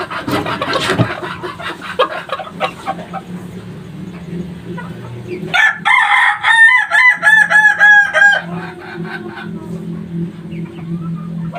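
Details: Three-month-old kukuak balenggek cockerel crowing: after a stretch of clucks and clatter, a loud multi-part crow runs for about three seconds in distinct stepped bursts, pitch sliding slightly down across the phrases, then background clucking resumes.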